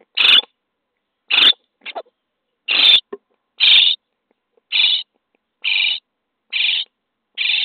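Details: Nest-box common starling nestlings, day 23, calling as they are fed: loud rasping screeches with uneven spacing, a couple of faint short notes, then steadier calls near the end.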